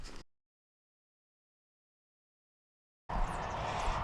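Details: A brief burst of outdoor noise cuts to near three seconds of silence, then steady broadband rushing noise returns.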